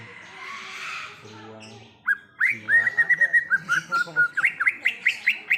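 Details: Greater green leafbird in the wild: after two seconds of murmuring background noise, a lively burst of whistled notes begins, with a warbling phrase followed by a rapid series of short, sharp downslurred whistles.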